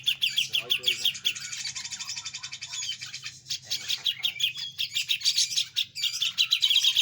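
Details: Grey-cheeked bulbul delivering a fast besetan-style song: dense, rapid chattering and buzzy trills packed high in pitch, with short pauses between bursts, over a steady low hum and a few spoken words.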